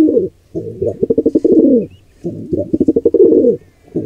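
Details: Wild pigeons at a birdcam nest, where an intruder pair attacks a squab. Cooing comes as quick bursts of throbbing pulses that end in a drawn-out, falling note. The phrases repeat every two seconds or so.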